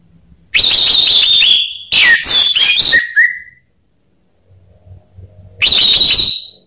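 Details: Orange-headed thrush song from a lure recording meant to make idle birds sing: a sustained high whistle, then a jumble of harsh notes ending in a falling slur, and after a pause another high whistled phrase.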